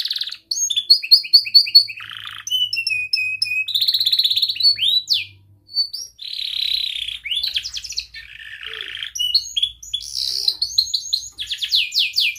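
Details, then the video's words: Young canary singing as a training model for other canaries: a long varied run of high whistles, fast chirping rolls, buzzy trills and sweeping notes, with only brief pauses between phrases. "Kenari Gacor Muda Rol Rapat Cuit cuit ngeroL"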